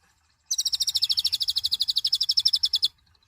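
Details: Mouse-colored sunbird, called konin locally, delivering a loud unbroken trill of high chips, roughly ten per second for over two seconds, slightly falling in pitch toward the end.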